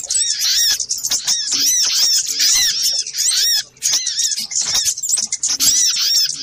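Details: Busy lure track of little spiderhunter calls: rapid, high, squeaky arched notes tumbling over one another in a thick chatter, one short dip in loudness near the middle.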